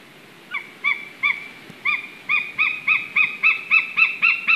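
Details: A White-tailed eagle (Haliaeetus albicilla) on a live nest camera in Slītere National Park, Latvia, gives a "love song" of about a dozen sharp, ringing yelps. They start slow and speed into a quick, slightly rising series over a faint hiss.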